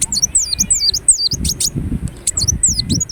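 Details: Short passage of ruby-cheeked sunbird song from Indonesia, squeaky high notes sweeping steeply down then up, several per second, broken by single ticks, over soft low background noise.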